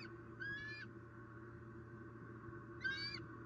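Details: Bald eagle pair at a Southwest Florida nest during an afternoon squirrel delivery; two faint, thin, wavering high squeals about two seconds apart over a steady hum.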